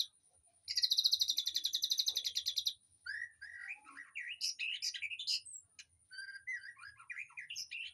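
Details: Aviary birds heard as training song for a white-rumped shama: a loud fast buzzy trill lasting two seconds, followed by a busy varied warble of whistles and chirps.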